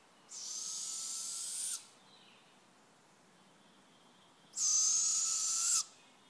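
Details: Owl giving two harsh, hissing screeches, each about one and a half seconds long with a thin high whistled tone running through it, separated by a pause of nearly three seconds, against a quiet background.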